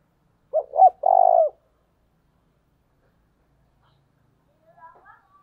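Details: Early-morning luring coo of a spotted dove in 'thổ đồng' voice: a pair of quick soft notes then a sustained buzzy-purring coo, followed by long silence and a faint distant chirp near the end.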